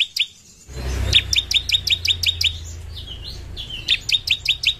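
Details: A bar-winged prinia (Prinia familiaris), a loud tutor bird known for its signature piercing shots, gives a fast run of sharp, high chirps, about three a second, broken by a short pause, with a low rumble early on.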